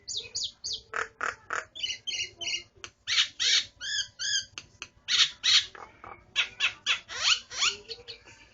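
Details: Starling, a kept bird, singing a varied chattering song of rapid harsh notes, buzzy bursts and whistled slurs, repeated nearly three times a second with barely a pause.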